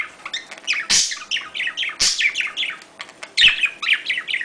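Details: Budgerigar mating sound: lively twittering with rapid warbled notes broken by three loud harsh squawk-like bursts about a second apart.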